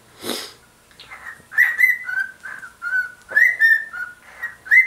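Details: A male pet bird swinging in his cage sings to a shoe placed on it, a string of clear whistled notes, some flat and some rising, after a short breathy burst at the start.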